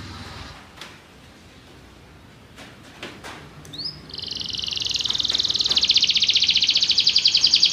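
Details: Belgian canary singing: a quiet opening with a few faint clicks and soft chirps, then about halfway through a loud, fast, rolling high-pitched trill that is sustained without a break to the end.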